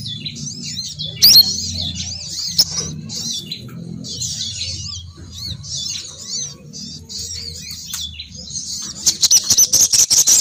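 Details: Female sogon bird lure call: long bouts of high, warbling, wavering twitter broken by short pauses, ending in a fast series of crisp clicking chirps, with low background hum.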